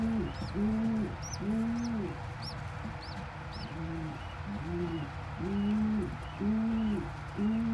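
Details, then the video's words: Domestic pigeons, a parent regurgitating crop milk into a tiny squab's mouth; deep repeated coos with thin high squeaks clustered early, low murmur behind. "Pigeon Feeding (MILK)To Tiny Baby!!!"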